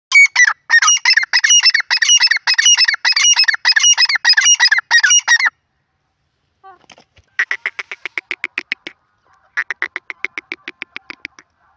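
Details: Francolin calling: a loud run of harsh, rhythmic grating phrases, roughly twelve in five seconds, then a pause and two quieter series of short clicking notes.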